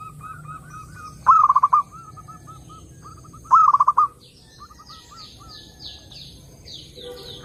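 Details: Zebra dove singing in a lure recording meant to draw other doves: two loud rolling stuttered phrases about two seconds apart between gentle repeated coos, then a series of high descending chirps from another bird near the end.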